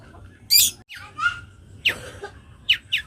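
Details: Young long-tailed shrike in full song, mixing a sharp rasping burst with short downward-sliding whistled notes and quick scratchy chips in an uneven sequence.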